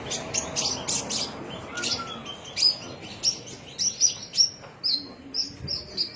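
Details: Javan myna singing in Cilacap: a run of sharp high chirps and whistled notes, some clipped and some sliding, repeated roughly every half second with brief gaps, over faint background hiss.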